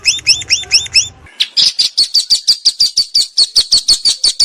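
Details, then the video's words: Long-tailed shrike recorded on 16 May 2022 with a Samsung M30 phone in a house yard and rice field: paired high upslurred whistles repeated quickly, then an abrupt switch to a fast run of sharp high chips about four per second. "Masteran Burung Cendet Full Isian Mewah"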